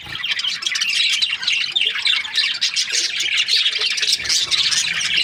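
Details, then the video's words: Breeding pairs of budgerigars fill the air with a constant mix of rapid chirps, chattering warbles and harsh squawks, slightly quieter at the start. "Budgies parrot chirping sound"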